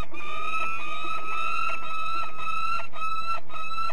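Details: Peregrine falcon, De Mortel, Netherlands: a sustained, grating, ringing call pulsing in quick repeated notes for the full four seconds with no break.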